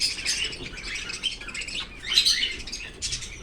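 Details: Pet Australian cockatiel playing with its owner's bangles, giving bright, high chirps and short tweets in uneven bursts, with soft metallic jingling mixed in.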